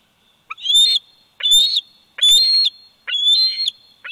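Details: Four evenly spaced, high-pitched squealing whistles from a 104-day-old bald eagle eaglet at a Big Bear Valley nest, nest camera recording from 27 July 2019, each note slightly rising and ending abruptly.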